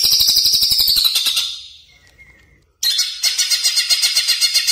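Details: Greater green leafbird in vigorous song, used to train caged birds: dense high trilled chatter, a thin level whistle during a lull, then another burst of rapid pulsing notes.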